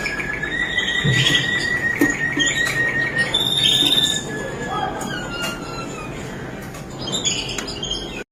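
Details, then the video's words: Malinois Waterslager canary song with a sustained whistled note, then a brighter, higher rattling trill and softer falling whistles. Heavy steady background noise runs throughout. "Special Malinois Waterslager Canary Singing | Một chút đặc biệt đến từ chú chim yến hót Waterslager"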